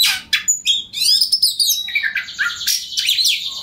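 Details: Oriental magpie-robin giving loud ngobra song as a pancingan to spur rival kacer: piercing whistles mixed with fast twittering and harsh chattering notes, packed tightly with almost no pause.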